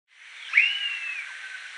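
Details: Blue-billed curassow at Reserva Los Besotes, Valledupar, Cesar, northern Colombia, gives one thin, high whistle that holds steady for under a second and then fades, over a constant background hiss.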